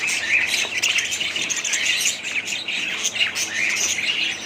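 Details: Budgies keep up a loud, busy warble of squeaks and chirps, notes overlapping continuously with hardly any silence between them.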